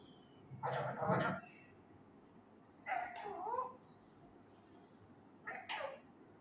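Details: Indian ringneck parakeet, a male pet practising words such as kia hogaya: three throaty, speech-like mumbled phrases with changing tones, each about a second long, separated by pauses.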